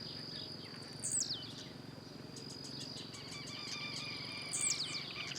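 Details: Blue-black grassquit singing in nature while hopping, giving two brief buzzy downward-sliding notes about three and a half seconds apart; a continuous insect drone and scattered faint chirps fill the background.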